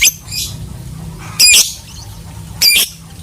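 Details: Lovebird producing three loud, harsh screeching bursts about a second apart over a continuous low background hum.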